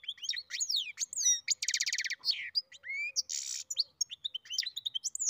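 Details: A goldfinch and canary hybrid mule sings a rapid, varied warble: sharp high chirps, upswept and downslurred whistles, and buzzy trilled rattles packed together with barely a pause.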